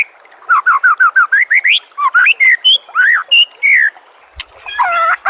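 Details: White-rumped shama singing loud, clear whistled phrases: a run of repeated rising-falling notes, then varied slurred whistles and upsweeps, ending in a brief harsh rattle-like burst.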